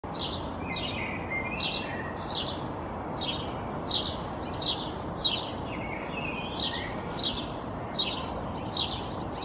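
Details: A European goldfinch perched in a tree in Helsinki, Finland, in April 2022, shaking its feathers, gives high, bright, tinkling call notes about once or twice a second over a steady hiss of background noise.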